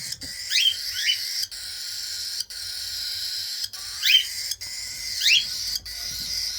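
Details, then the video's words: Baby cockatiels at feeding time: brief, sharply rising chirpy begging notes come in small bursts every second or so, set against a steady breathy hiss with short clicks. "baby cockatiel feeding time"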